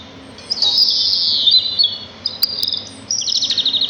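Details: A sparrow in natural surroundings gives a drawn-out, buzzy high note, then shorter chirps and a quick trill of evenly spaced notes. A faint hum lies beneath.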